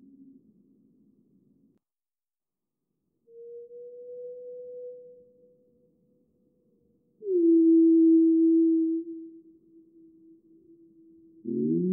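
Steady, pure whistle-like tones, one mid-pitched and one lower, hold for a few seconds each with silence between and no recognisable animal voice.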